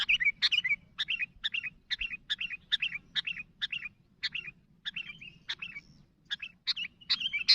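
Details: Sooty-headed bulbul calling to other birds with a lively run of short, bubbling chirps repeated roughly every third of a second, the series continuing without a break and ending in a slightly longer whistled phrase.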